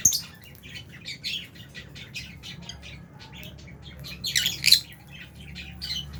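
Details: Caged lovebirds, albino and Fisher's, feeding alongside budgies in an aviary give a steady stream of short, high, raspy chirps throughout, with a louder cluster of harsh squawks shortly before the end.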